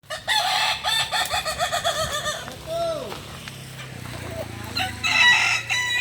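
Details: Kukuak Balenggek chicken at a joint training session in Ampang Kualo, Solok city, giving a rapid string of short harmonic crow notes that step up and down, then a few falling drawn-out notes, with people talking.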